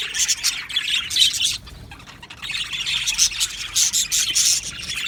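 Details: Aviary budgie colony giving busy, overlapping high chirps and twittering, with a quieter lull near two seconds before the chatter builds again.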